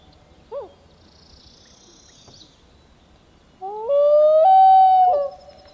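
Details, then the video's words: A loon gives one brief note, then a long mournful wail that slides up and holds steady for over a second before falling away, against a quiet background. "Loon Calls"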